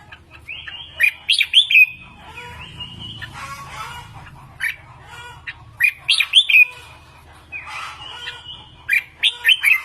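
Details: Red-whiskered bulbul lure bird in song practice, delivering rich rolling warbled phrases with sliding whistles, several loud bursts spread across the recording, with a faint low rumble and some scratchy noise between.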